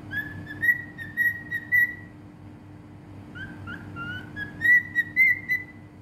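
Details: Whistling song of a cockatiel in Bahrain: a string of clear, sustained whistled notes, a pause, then short lower slurred whistles that lead into another bright steady whistled phrase, over a soft constant hum.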